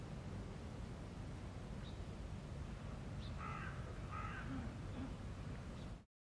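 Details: Two short, breathy whistled calls from an American Wigeon in a park in the morning, about a second apart, over a steady low rumble of wind and distant traffic.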